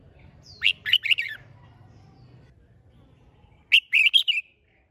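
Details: Red-whiskered bulbul trained for song competitions, caged, sings two bright, jumpy phrases of four or five whistled notes about three seconds apart, against a quiet low hum.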